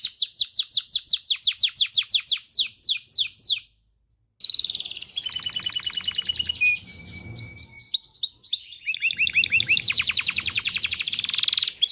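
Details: Aroused canary song to encourage males and females to mate: quick series of descending whistled notes, a pause, then varied buzzy rolls, clear whistled tones and rapid trills.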